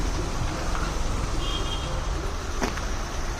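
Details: Steady low rumble of road traffic and passing vehicles, with no animal voice heard.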